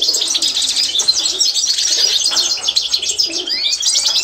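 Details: Constantine goldfinch training song: an unbroken, dense stream of high, fast, tinkling chatter and trills, with one upward sliding whistle near the end.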